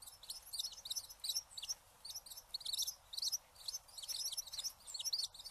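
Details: Eurasian tree sparrow calling: a steady run of high, sharp chirps and chattering tweets, closely packed in bursts throughout, with brief pauses between groups.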